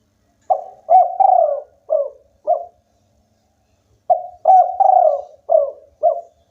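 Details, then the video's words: Local spotted dove singing strongly; two matching phrases about three and a half seconds apart, each a short coo, a longer drawn coo and two clipped closing coos, low and mellow on a quiet background. "tekukur lokal gacor bikin lawan ikutan bunyi"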